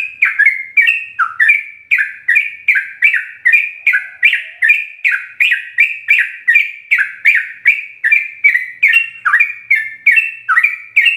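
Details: Continuous bubbly song of a sooty-headed bulbul, master recording for teaching kept birds: quick repeated mellow two-part whistles, roughly two and a half per second, unbroken throughout.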